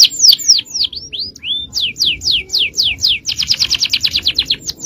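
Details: Male canary in full-power 'cengkok jawara' (champion style) song, offered as a long tutor recording for training other canaries: rapid repeated descending whistled sweeps, a few rising notes, then a fast even trill of high notes near the end.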